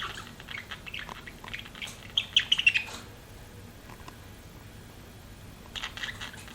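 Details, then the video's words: Budgies kept as pets give soft chattering warbles, then a quick run of clear descending chirps, followed by quiet and a brief burst of chatter near the end. "BUDGIES CHIRPING SOUND"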